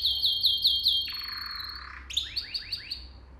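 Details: Training song for young canaries: fast repeated high chirps, a long low rolling trill, then a string of rising swept notes about five per second. A soft hum is present beneath.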